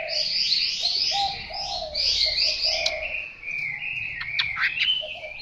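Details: Young Chinese hwamei practising its singing: a run of quick, varied warbled and whistled phrases at high pitch, then sharper clipped notes, over lower, steadier tonal sounds in the background.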